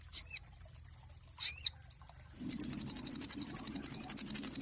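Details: Cinereous tit (sogon) master song for songbird training: two separate high, bent whistled chirps about a second apart, then a sudden rapid high-pitched trill of evenly pulsed notes carrying to the end.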